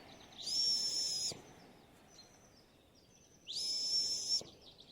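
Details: A female Eurasian pygmy owl at about 1700 m in north-facing mixed mountain forest in the Champsaur, Écrins National Park, gives two thin, high, drawn-out squeaky whistles about three seconds apart, each close to a second long. This seasonal female call suggests a nearby nest.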